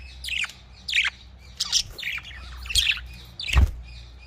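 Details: Budgerigars kept in a breeding cage chirp in short, harsh, warbling notes about every half second, over a steady low hum and a few knocks.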